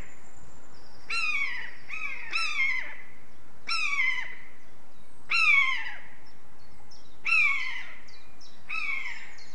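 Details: Common buzzard (Buteo buteo) giving a series of plaintive, down-slurred mewing calls, about eight in ten seconds, some in quick pairs, against a quiet background.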